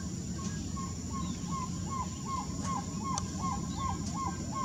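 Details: Black-tailed trogon in the Brazilian Amazon: a quiet, steady series of short, soft hooting notes, about two to three per second, slightly rising then falling, over constant insect hum and low background rumble.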